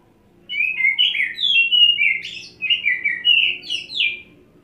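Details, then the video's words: Oriental magpie-robin (kacer) kept in 'setting basah' condition, tahan ngobra on a single perch, muntah isian: a steady four-second flow of varied whistled phrases, chirps and slurs, with short harsh notes mixed in. "Kacer Satu Titik Tahan Ngobra Muntah Isian"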